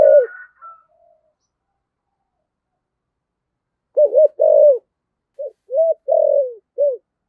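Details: Spotted dove decoy calling in the Vietnamese 'thổ sấm' voice style, used to lure rival birds: low cooing phrases, a soft coo at the start, then after a pause a burst of five or six rounded notes, short and longer, in quick succession.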